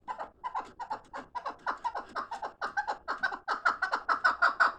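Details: Fighting chukar partridge gives a fast run of short, clucking chuk notes, about three per second, steadily building louder over five seconds in a small room.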